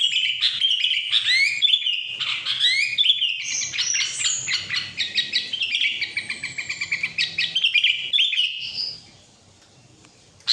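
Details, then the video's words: Trilling ngetril song of a sooty-headed bulbul: a lively chattering cascade of high chirps, whistles and rapid stuttered notes. It runs for about nine seconds before falling silent, then a last sharp note sounds. "kutilang ngetril"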